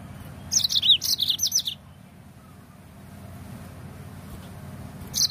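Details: Yellow-fronted canary song for encouraging birds to sing. One busy phrase of high, rapid chirps and slurred whistles lasts about a second, followed by quiet and a new phrase starting at the very end.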